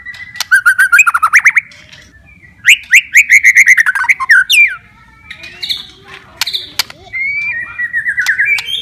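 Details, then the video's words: White-rumped shama song meant to coax reluctant, stressed shamas back into singing: loud rapid series of repeated chopped notes in two bursts, a quieter scratchy middle passage, then a rising run of fast warbled notes. "MURAI BATU MALAS BUNYI,, STRES,, DENGARKAN OCEHAN INI,, PASTI GACOR LAGI"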